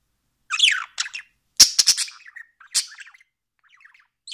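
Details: Pet budgerigar giving a burst of scratchy, squawking chirps and clicks, several quick notes in a row followed by softer chatter and short pauses.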